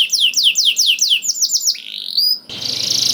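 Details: Canary song for prompting other canaries: six or seven loud descending whistled notes, a rising whistle, then an abrupt switch to a buzzy rattling trill.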